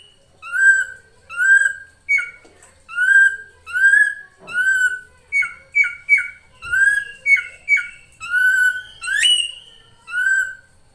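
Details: Female drongo luring a male: a varied string of clear, slurred whistles with rich overtones, roughly one note per second, some doubled, a few rising sharply at the end.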